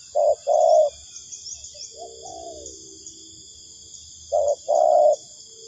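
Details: Clear spotted dove cooing for trapping lure: a quick short coo, then a longer one, a soft falling coo, a pause, and the same pair again. Continuous shrill insect buzz in the background.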